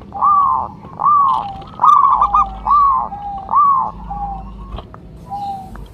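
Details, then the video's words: Local zebra dove lure caller: a series of smooth arched coos roughly one per second, fading toward the end, with a few faint clicks. "Perkutut lokal gacor jawara pikat dan pancingan nada suara panggilan"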